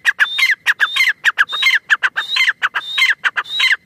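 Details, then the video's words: Teetar, the grey francolin, giving a vigorous run of strident, squawking call notes. High rising notes mix with falling ones, repeated quickly and somewhat unevenly, clear against a quiet background. "Teetar ki awaz | Teetar voice | gray francolin teetar sound"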